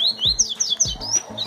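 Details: A captive male Double-collared Seedeater being prepared for song tournaments sings a quick run of high, clear whistled notes that slide down and up, with a few dull low thumps beneath.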